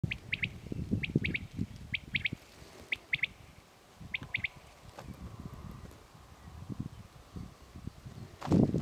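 Common quail giving its quick, liquid three-note 'wet-my-lips' call, repeated about once a second, over a low rumble of wind.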